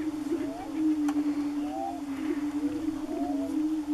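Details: Greater prairie-chickens on a spring lek near Wray, Colorado, in April, giving a constant deep moaning drone overlaid by paired upslurred whoops roughly every second and one sharp tick.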